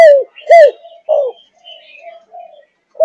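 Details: Short, arched, falling coos from a 5.5-month-old spotted dove of the Malaysian thúc gù line, about one every half second, then quieter soft notes and a final clipped coo.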